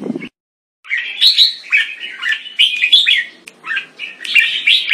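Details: Caged red-whiskered bulbul, a competition bird shown in open big-wing and slash-tail display, singing loud, clear, warbled phrases that rise and fall; a short low sound, then a brief silence, comes before the song.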